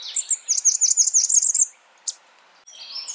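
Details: A Blackburnian warbler is calling with a quick run of piercing high notes lasting about a second and a half. A single high note follows, then faint chirps.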